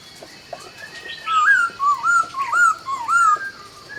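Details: Dawn song of a laughingthrush: a loud, continuous warbling phrase of wavering, looping whistles, rising and falling in quick bursts, with fainter high chirps overhead.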